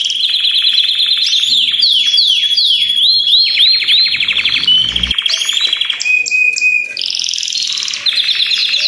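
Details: Belgian canaries in a group chorus, many birds singing together as a stimulus to get other canaries singing. Continuous layered trills, fast descending sweeps and buzzy rolls give way to steady bright whistled tones near the end.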